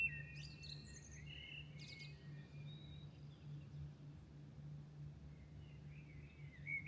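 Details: Dawn birdsong in Milan: a few sharp, high whistled notes and short warbled phrases early on, then sparse soft twitters, all over a constant low urban hum.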